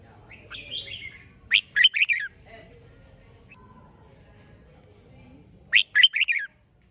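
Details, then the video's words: Red-whiskered bulbul singing fiery contest song: two emphatic, chirpy phrases about four seconds apart, each a rapid run of four or five notes. Softer, buzzy twitters and high whistles sound in the background. "Chào Mào Hót - Kích Chim Hót Xung | Kích lên lửa mỗi ngày, thúc bổi siêng hót"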